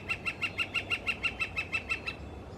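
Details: Red-shafted Northern Flicker (Colaptes auratus cafer) singing on a west coast morning in British Columbia: a rapid, steady run of about fourteen loud, ringing wik notes, roughly six a second, over faint hiss.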